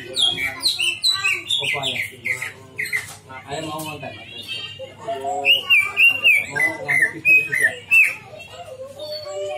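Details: Lure song of a cucak ijo (greater green leafbird) meant to draw out its mimicry: a rich, varied stream of high whistles, buzzy trills and chattering phrases, then a run of ringing repeated whistles near the end.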